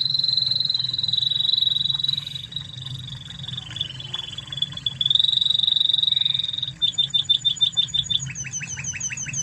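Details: Spanish Timbrado canary from Spain singing a master song for training other canaries: a long, steady, high rolling trill held for several seconds, then a rapid run of sharp repeated notes, with a low hum underneath.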